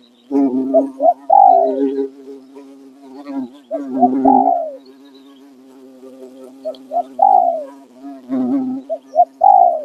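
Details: A captive male spotted dove, hung as a decoy in the afternoon to lure wild doves, gives soft, husky coo phrases, each ending in an arched rising-falling note, every few seconds over a steady low drone.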